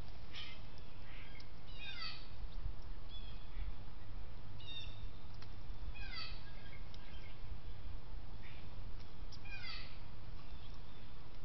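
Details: A first-of-year Baltimore oriole, back in spring on 3 May 2019 at a bird cam in Grantham, New Hampshire, gives short bursts of clear, falling whistled notes every few seconds, over a steady low rumble of wind or distant noise.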